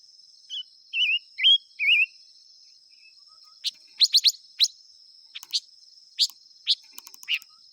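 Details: Silver-eared mesia singing: four short warbled, wavering whistles in quick succession, then a run of sharp, high clicking chips at uneven intervals. A steady high insect drone runs beneath throughout.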